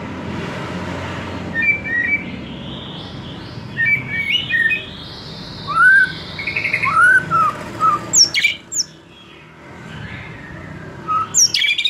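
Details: White-rumped shama, a young forest-caught bird losing its spotted juvenile plumage, sings, used to lure other shamas into singing freely: scattered clear whistled notes, some rising and falling slides, then sharp high flourishes, over a steady low background hum.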